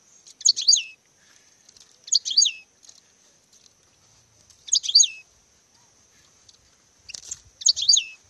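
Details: Courting European goldfinch giving brief, bright twittering notes in four or five separate bursts, each under half a second, spaced one to three seconds apart, with a steady faint high background whine.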